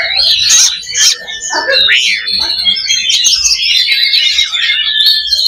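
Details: Oriental magpie-robin (kacer) loba song serving as a fighting simulation to build fighting mentality. Harsh opening notes give way to a long, sustained run of high whistles and twittering.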